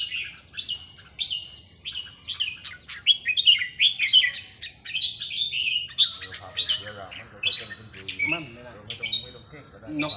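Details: Red-whiskered bulbuls practising song on a free day in a training session. Dense, continuous chirpy warbling of fast, bright whistled notes carries through the whole stretch, with faint human voices underneath.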